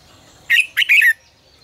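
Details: Red-whiskered bulbul, fiery "ché căng lửa" song used as a training lure for caged birds. A single loud phrase of three rich, slurred whistles that ends on a downward note.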